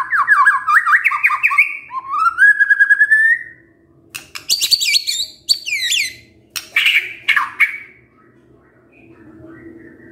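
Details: Cage-kept white-rumped shama singing rapid whistled slurs and a rising whistle, then harsh scratchy notes and chatter, fading into a quiet hum.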